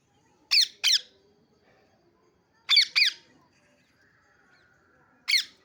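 A parrot gives harsh, sharp squawks, mostly in quick pairs with a couple of seconds between them, in an otherwise quiet room.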